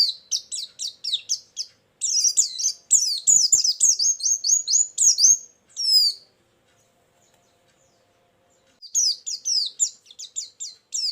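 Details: High, rapid twittering song from a white-eye played as a lure and filler for trapping birds: dense runs of sharp chirps, about three seconds of silence, then the fast twitter returns.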